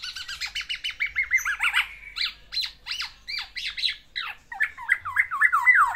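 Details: Courting black-naped oriole in a cage, singing to a female: rapid stacked chattering notes, harsh bursts, then a closing run of repeated downslurred whistles, about four per second.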